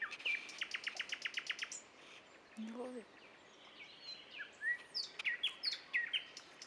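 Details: Nightingale song at Dubki, opening with a rapid run of clipped repeated notes, then a low brief sound and a string of upslurred whistles and chirps repeating at a steady pace.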